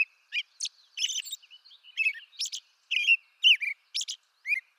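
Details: Song of an American robin from eastern North America: a run of brief caroling phrases, each a rising-and-falling whistle with high, scratchy overtones, given roughly once a second in an irregular rhythm.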